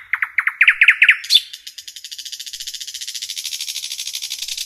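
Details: Common nightingale singing in a forest, a quick accelerating run of loud chirped notes flowing into a long, steady, high buzzy trill that continues to the end.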